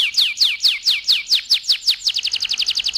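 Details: A canary, singing to stimulate males and prepare females for breeding, gives a run of high, sweeping downslurred notes about four per second, then breaks into a faster, brighter trill of short repeated notes.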